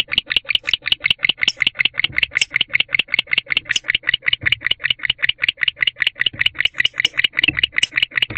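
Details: Barn owl in a nest box at 4:14 am on 16 December 2023, calling to its mate that has not returned: a steady run of short, harsh chittering notes, about five per second, with faint low knocks beneath.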